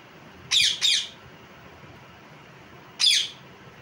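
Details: Two quick harsh parrot squawks, a pause of about two seconds, then a single further rasping squawk.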